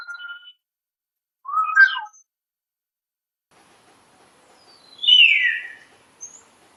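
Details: Common hill myna giving scattered calls: a short level whistle, then a twisting nasal note, a long silence, and finally a loud, harsh downward-sweeping call with a faint high note after it.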